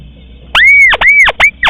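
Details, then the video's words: Crake hunting lure: a short run of arched whistles, each rising, holding briefly and dipping again. They are repeated quickly and loudly. "suara pikat tikusan sawah durasi pendek"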